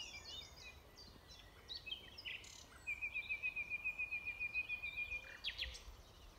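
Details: Nightingale song at Alners Gorse, Dorset. Soft mixed twitters give way to a long, rapid run of around twenty identical clipped notes held on one pitch for over two seconds, finishing with a couple of sharp chips.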